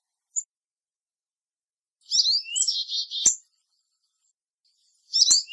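A Black-capped Chickadee gives its chickadee-dee-dee call: quick high notes and then a run of buzzy, husky dee notes. A second call starts near the end, and a few sharp clicks are heard.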